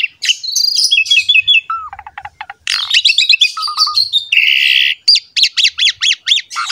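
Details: Gacor Asian pied starling singing for a masteran recording used to coax other starlings into song: quick trills, rattling clicks and buzzy notes lead into a run of sharp, repeated upslurred whistles.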